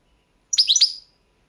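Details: European goldfinch, Balkan subspecies balcanica, entered in a world song championship organised from Serbia; a very short burst of three or four sweet, high, slurred twitters.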